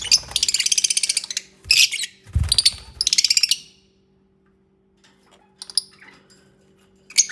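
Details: Lovebirds sharing close moments while nesting, opening with three loud bouts of rapid, pulsing high-pitched chatter, then near silence broken by a few thin chirps and a final sharp squeak.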